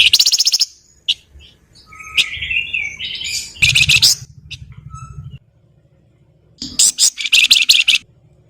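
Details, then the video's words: Flowerpecker nyerecet song: fast harsh rattles and buzzy trills, scratchy warbled notes, then more bursts of rapid, rasping chatter. "SUARA MERDU BURUNG FLAMBOYAN GACOR NYULING, NYIUL NYERRECET"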